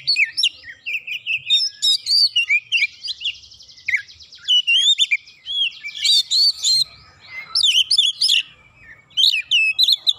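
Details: Riled by a rival, an Oriental magpie-robin delivers a rich, rapid mix of whistles, chirps and a buzzy rattling trill, phrases tumbling one after another with short breaks.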